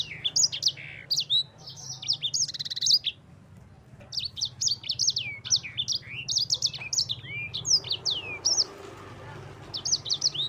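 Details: Sanger in full rolling song, kept as a tutor for other songbirds. Dense high twittering and trilled bursts are followed by a short near-silent gap, then further rapid strings of sweeping chirps. A low hum runs throughout.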